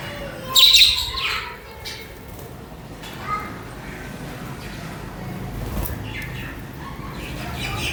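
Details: Several budgies (parakeets) chirping and chattering as a group. A loud, sharp, high chirp comes first, followed by softer scattered twitters and brief notes over a steady background hiss.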